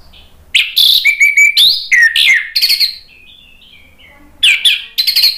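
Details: Energetic orange-headed thrush song used to goad silent birds into singing: a dense burst of buzzy, high chirps and sweeping whistles, a long pause with soft thin notes, then another loud scratchy burst.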